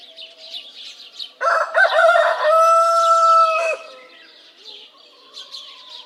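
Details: Rooster crowing: a loud, harmonic cock-a-doodle-doo lasting over two seconds. It opens with broken notes and holds a long, steady, slightly falling tone, then cuts off. Small birds chirp faintly before and after.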